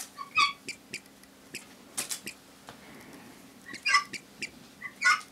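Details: A pet Helmeted guineafowl hen is cuddled on her owner's lap while another guineafowl nags in the background, giving short, harmonic, slightly squeaky calls in irregular bursts, with soft tapping sounds.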